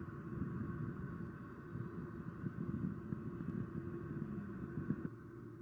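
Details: Steady engine-like rumble and low droning hum with a few faint clicks, no animal calls.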